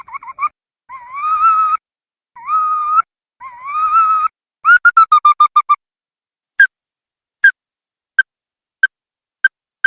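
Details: Ruddy-breasted crake: several drawn-out, rising whistled notes, then a fast burst of sharp clicking notes, followed by single crisp ticks about once a second in an otherwise silent background.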